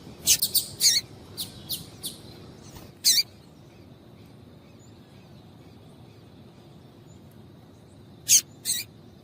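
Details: A female double-collared seedeater calls to stimulate a male. A quick burst of high chirps in the first few seconds is followed by a long silence and then a final pair of sharp notes.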